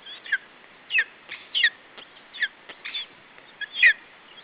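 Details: Chick of a lesser spotted eagle on its Estonian nest guarding food from an adult bird, July 2012; harsh, shrill squeals in short bursts roughly every half second, some doubled, over a steady hiss.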